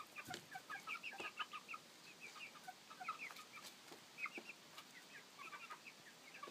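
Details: Seven-week-old chicks, a flock of thirteen from four breeds including Welsummer and Copper Maran, make continuous overlapping high peeps and short chirps, a lively noisy chatter throughout.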